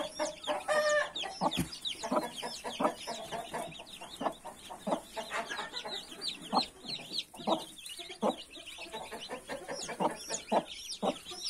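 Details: Broody hen among her 31 newborn chicks, giving short, dull, irregular clucks while the chicks keep up a dense stream of shrill, downward-curving peeps throughout.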